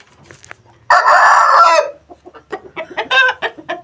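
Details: Aseel (Asil) rooster crowing: one loud, harsh, sustained crow lasting about a second, then a string of quieter rhythmic clucks that rise and fall.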